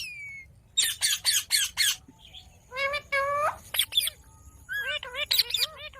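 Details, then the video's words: Ring-necked parakeet uttering loud, harsh squawks in a rapid series, then stacked nasal calls and quick, bouncing, chattering notes toward the close. "Ringneck Talking"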